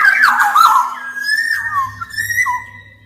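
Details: Black-naped oriole in full voice for tutoring or rousing other orioles: a loud fluty warble followed by a long level whistle with small rising and falling turns, over a faint low hum.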